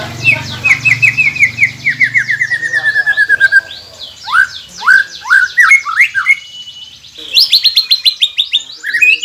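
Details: White-rumped shama song meant to stir quiet captive birds into singing: a long rapid trill of repeated notes over a low droning hum, then loud rising sweeps and high buzzy phrases.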